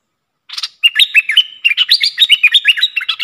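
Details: Caged red-whiskered bulbul used as a decoy bird for luring, singing a dense run of bright, warbled, slurred notes, each rising and falling, in quick uneven succession after a short opening buzz. No other sounds.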